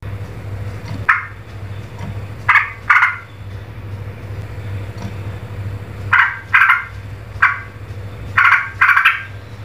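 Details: Streak-eared bulbul, called trucuk, in an agitated, emotional state, giving loud, harsh, noisy chattering bursts in short pairs separated by pauses of one to three seconds, against a steady low hum.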